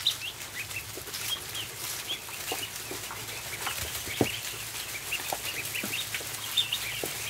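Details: Many ducklings feeding on a barn floor give a constant chorus of high, short peeps, with occasional soft knocks and rustles mixed in and a low background hum.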